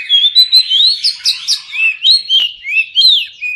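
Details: Oriental magpie-robin song for stimulating mute birds: a bright sequence of level whistles, then loud sharp upslurred notes and lower falling slurs in quick alternation.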